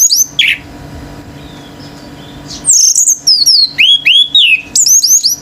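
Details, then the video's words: An orange-headed thrush male sings intensely in 'gacor teler' style while other birds grow agitated: a brief burst, a quiet gap, then a fast run of descending whistled slurs and high looping notes. "ANIS MERAH GACOR TELER‼️BURUNG LAIN IKUT NGAMUK‼️"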